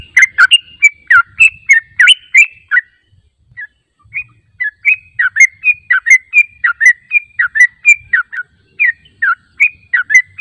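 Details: Yellow-vented bulbul calling on a lure track meant to get wild birds answering: fast, chattering bubbly notes, a brief lull with scattered single notes, then a long even run of swooping phrases.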